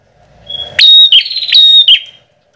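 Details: Lure call of the bar-winged prinia, known locally as prenjak, played to draw birds in fields, gardens or forest: a single loud phrase of harsh, ringing chips and a steady high whistled tone, lasting under two seconds.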